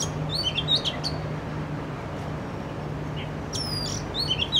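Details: An Oriental magpie-robin (Copsychus saularis) sings in an urban setting: two bursts of varied, sweet whistled notes with quick chips, separated by a pause, over a steady low hum.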